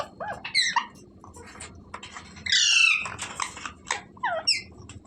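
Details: Parrot making a series of short, harsh, harmonic calls. A longer, louder screech comes at the midpoint, with brief chirpy notes before and after it.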